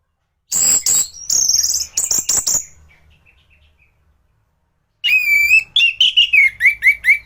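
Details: Orange-headed thrush in gacoran song, a training recording for other thrushes: harsh, noisy bursts and rasping notes, then a run of rapidly repeated whistled notes falling in pitch.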